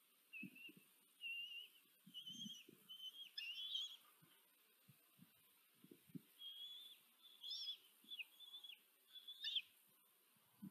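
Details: Nest-cam recording from Tiszanagyfalu, Hungary, 14 July 2023, of a female common kestrel feeding four young: drawn-out, thin whining notes repeat in a wavering chain, some ending in a sharp rise, with scattered soft knocks in the nest.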